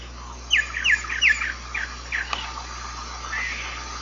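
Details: Giant cowbird (irauna de bico branco) delivering a series of quick, high, squeaky downslurred notes that fade toward the end, with a faint thin trill and a click, over steady hiss and hum.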